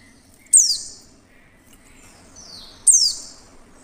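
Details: Clear call of a female Oriental white-eye, used to coax other white-eyes into song: two bright, thin chirps sliding steeply down in pitch, separated by just over two seconds, with soft background noise.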